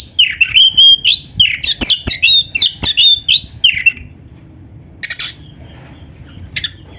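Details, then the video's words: Oriental magpie-robin (kacer) singing loudly. About four seconds of fast, varied whistled and scratchy syllables, then near silence broken by two short harsh bursts. "SUARA BURUNG KACER GACOR FULL MATERI"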